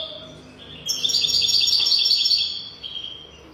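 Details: European goldfinch singing a 'golden throat' song meant for teaching young goldfinches: a fast, dense, bright twittering burst of about a second and a half, with quiet pauses before and after.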